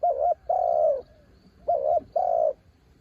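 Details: Spotted dove used as a branch decoy gives two mellow cooing phrases in quick succession, each a wavering short coo leading into a longer, level, slightly falling coo.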